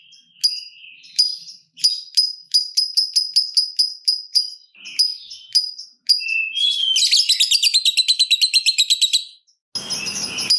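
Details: Lovebird singing to lure others into 'ngetik' chatter and a long 'ngekek' trill: an uneven string of crisp high ticks, then a sustained rapid pulsing rattle lasting about two seconds, followed by rustling.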